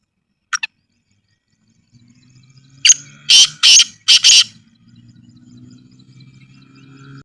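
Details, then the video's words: Black francolin in village surroundings gives a short click, then four harsh, rasping notes in a rapid phrase over a low steady hum. "Kala Teetar Ki Awaz | Black Francolin Voice"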